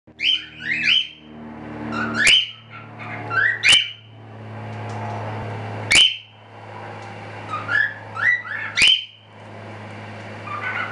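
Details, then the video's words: Several standard-type cockatiels, show birds from a small hobby breeding setup, give bright, rising whistled chirps in short clusters every second or two, with sharp clicks and a steady low hum behind. "Meine Standard Nymphensittiche"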